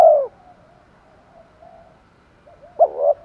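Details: Decoy spotted dove in the 'thổ pha thúc đấu' style for luring wild doves. A coo ends just as it begins, soft low murmurs follow, then a sharp short note and a mellow coo close it.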